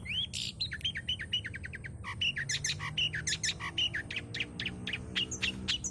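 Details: Lively long-tailed shrike song full of varied fills, offered as a lure recording: rapid string of short chirps and clipped whistled notes, some hooked and rising, delivered in quick irregular bursts with faint low hum beneath.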